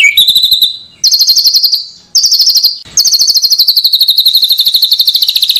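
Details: White-rumped shama master song for training: a series of bright, rapid trills on a high pitch, broken by short gaps, the last trill long and gently falling.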